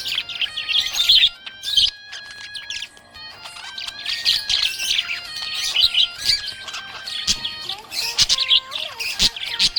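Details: Happy budgie chirping: dense, busy high warbling with quick chirps and clicks, over steady sustained music tones running throughout.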